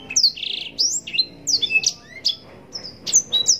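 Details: A blackthroat, or Yellow-rumped serin, in lively long-phrased song for contest-bird mastering. Piercing high slurred notes are broken by a short buzzy trill near the start and a few lower rising whistles.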